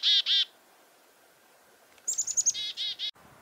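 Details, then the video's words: Chickadees give alarm calls because of a nearby goshawk on a farm in February 2021: two harsh buzzy notes, a pause, then a quick run of thin high chips and a burst of raspy dee notes. "Chickadee Alarm Calls due to nearby Goshawk"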